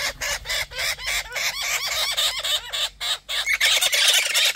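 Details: Wild young Australian king parrot, one of the growing juveniles that visit daily for food, begging loudly for its parents to feed it: rapid, harsh, rasping squawks, several a second, with arched nasal notes and brief gaps.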